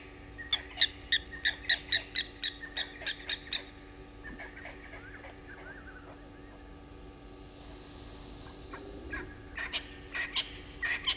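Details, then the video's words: At dawn (05:58, 08/01/21), at Gowrie dam waterhole on Djuma Game Reserve, Sabi Sand, South Africa, a Verreaux's eagle owl on the ground upsets geese. They give about a dozen harsh honks, then quieter scattered calls and a final loud burst, over a steady electrical hum. "Verreaux's Eagle Owl on the ground upsetting the Geese"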